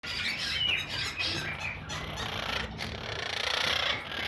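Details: Pet monk parakeet (quaker parrot) making noises: a few quick, high chirps and short squeaky notes over steady background hiss, with a faint fluttering sound.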